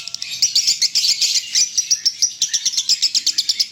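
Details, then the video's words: Konslet-style lovebird song of the 'leher patah' type, a fast chattering burst of sharp, high-pitched chirps that blur into a continuous trill, then break into evenly spaced pulsed notes. "LOVEBIRD KONSLET GAYA LEHER PATAH"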